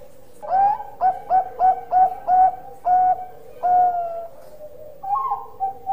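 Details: Loud-voiced Bangkok-type zebra dove in energetic song: a rapid burst of about seven crisp, evenly pitched coos, then three longer sustained notes, and a softer wavering tail.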